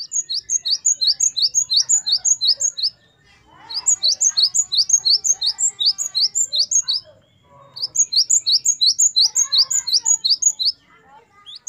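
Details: Great tit, known locally as gelatik batu, in lively 'gacor wucit variasi' singing used as a training recording for captive songbirds: high, bright two-note phrases repeated rapidly in bursts of about three seconds, separated by short pauses with faint background chirps.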